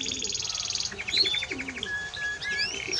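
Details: Timbrado Español canary song moving from a fast high pulsed roll into slower, lower bell-like repeated notes, then sliding whistled phrases and a short flat tone.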